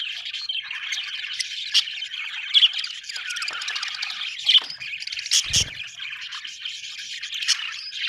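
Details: Budgies keep up a busy warbling chatter of chirps, squeaks and short squawks, one low thud partway through, the calling steady and unbroken across the whole stretch.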